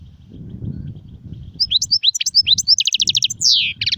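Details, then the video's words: After a stretch of low rumbling noise, a European goldfinch bursts into rapid liquid twittering, a rattling trill and a descending buzzy slur; song styles given as sarfati, guezrati and tsersir. "صوت طائر الحسون نار 🔥🔥🔥 ( سرفاتي, ڨزراتي,ت سرسير )"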